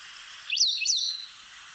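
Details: An African Pied Wagtail, a territorial bird that chases other birds from its feeding areas, sings a brief, bright phrase of two or three high, sweet whistled notes near running water.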